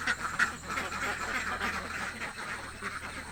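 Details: A hungry duck flock in a village: loud nasal quacks repeated roughly three times a second, overlapping and irregular, with one sharp quack standing out early.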